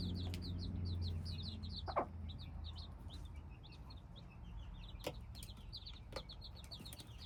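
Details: A crowd of hybrid chicks keeps up dense, rapid high peeps, each sliding down in pitch. A low humming noise fills the first few seconds, and scattered sharp clicks and taps are heard.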